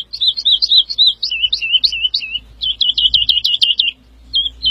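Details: Continuous woodlark singing: looping notes, a wavy dipping phrase, then a rapid repeated run of crisp notes, over low background rumble.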